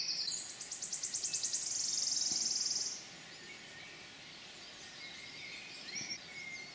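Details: Wood warbler song in the Forest of Dean on 6 May 2018: a run of high, thin ticking notes that speeds up into a shivering, silvery trill lasting about a second. Faint bird notes follow.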